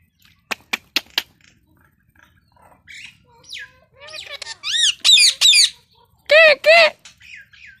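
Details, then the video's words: Talking pet Indian ringneck parakeet: a few sharp clicks, then loud harmonic squawky syllables in short phrases, like mimicked words, with quiet gaps between them. "Talking indian ringneck parrot"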